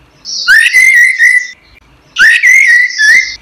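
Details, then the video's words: Orange-headed thrush song used as a training recording for songbirds: two loud rich whistled phrases, each opening with a rising slur and then holding a warbling, wavering line, separated by a short pause. "suara burung anis merah | gacor | masteran"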